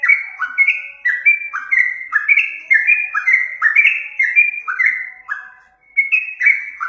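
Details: Yellow-vented bulbul singing as a lure: loud, bubbling sequence of slurred whistles and chirps in quick succession, a brief lull near the end before the phrases resume.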